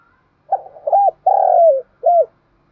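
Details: Spotted dove cooing, used to stimulate other doves to coo: a short stuttering lead-in followed by a long, even, low hooted coo that drops at the end, then a brief final coo, all in the low-mid range.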